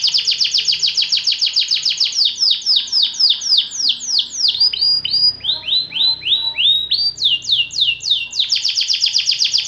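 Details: White canary singing a long-duration song: loud, fast trills of downward-sweeping notes, about three to four per second, shifting through several phrase types with a brief buzzy roll near the end.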